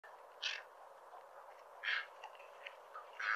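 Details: Cattle egret giving three short, harsh, noisy squawks about a second and a half apart, each lasting under a quarter second, over a steady low hiss.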